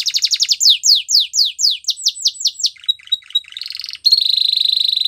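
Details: Spanish Timbrado canary song used for training: fast repeated downward-sweeping notes, then a stuttering metallic passage and a sustained bright trill near the top of its range.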